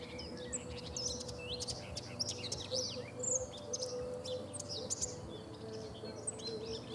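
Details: A dense, scratchy, hurried warble of a common whitethroat fills several seconds, with quick high chirps and buzzy notes jumbled together. Recorded 3 June 2017 on the Sava bank at Prečko, Zagreb, Croatia, with low background hum.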